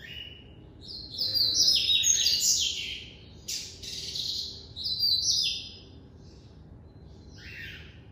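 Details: White-collared seedeater kept by an amateur breeder, singing the classic song style: bursts of fast, buzzy, high twittering notes sliding up and down, two loud phrases separated by a short pause, with a quieter note near the end.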